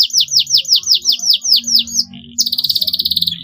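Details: Canary singing a lure meant to teach young birds to sing: a run of quick, falling whistled notes about six per second, a short pause, then a fast rattling trill.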